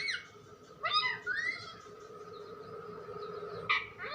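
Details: Talking pet parrot gives short harsh rising syllables followed by a quiet gap and one more brief squawk, with a constant electrical-sounding hum behind.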